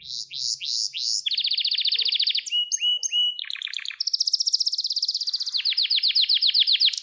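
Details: Gloster canary conditioning song for males and young learners: varied tours of repeated notes, with swooping phrases, a buzzy roll, flat whistles, lower rattling bursts, and finally a bright rapid trill.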